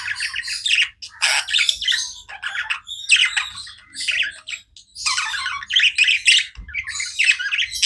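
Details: Budgerigars chattering continuously, grating warbles and squawky chirps in tight bursts, one quick pause midway, then busy overlapping calls again.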